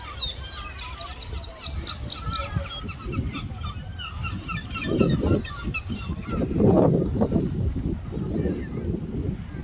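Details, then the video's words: Gulls fighting over food, a crowd of overlapping harsh, harmonic squawks and honking cries, rapid and clustered, over low rumbling background noise, with louder bursts mid-clip. "Seagulls Fighting Over Food and Making Noises"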